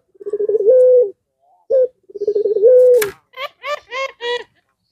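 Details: Puter pelung (Barbary dove) in a bout meant to make rival doves answer. Two long pulsed coos ending in level held notes, then a series of short, clipped harmonic calls.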